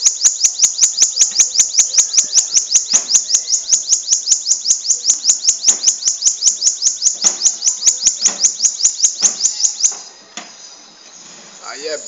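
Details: Bananaquit from Natal, Brazil, delivering a long song in the 'gaviãozinho' style: a rapid, very regular string of high, thin ticking notes, roughly two and a half per second, running unbroken for about ten seconds before ending abruptly.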